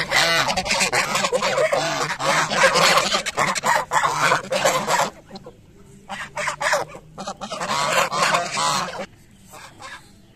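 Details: A flock of geese honks loudly during morning feeding, rapid harsh nasal calls packed closely for five seconds, then sparser bursts with short pauses, over a low steady hum.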